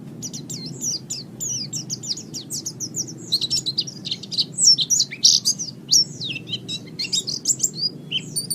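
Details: White-eye master song for training: a busy run of high, thin twittering notes and short whistled slurs, growing louder and more emphatic toward the middle, with faint low hum throughout.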